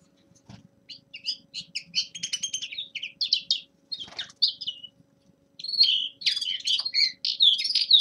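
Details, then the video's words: Young male common linnet giving a winter warm-up song: bursts of fast, high twittering notes and short buzzy trills in phrases about a second long, separated by brief pauses, with a quiet low hum underneath. "Распевка Реполовов песня Carduelis cannabina birdsong"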